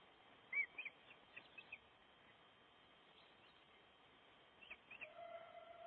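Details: A breeding osprey at its nest in Gribskov during nest building gives a loud, arched whistle, then a few short piping chirps, with another brief burst of thin chirps near the end over steady background hiss.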